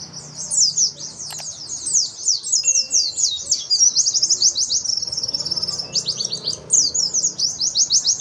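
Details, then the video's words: White-eye (pleci) singing the 2021 contest-standard song used to train birds' song: a sustained high, rapid twittering of slurred chirps and trills, varying in pace, with a few clicks in the background. "Masteran Pleci Lagu Yang Di cari Juri"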